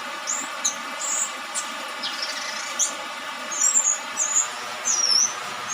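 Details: A young orange-headed thrush, just past its speckled juvenile stage, sings in dew and rain: thin, high whistled slurs and squeaky notes scattered over a steady hiss of rain.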